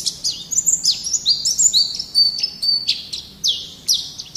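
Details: White-eye (pleci) in full vigorous song, a tutor recording for caged songbirds: high, thin warbling twitter of rapid sliding whistles and sharp chips, loud and continuous, with quiet background.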